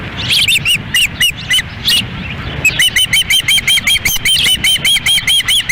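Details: Windy-day osprey feeding in Lolo, Montana, June 10, 2017, the female handling the meal as the male waits; a short squeal, spaced chirps, then a long unbroken run of rapid whistled piping notes.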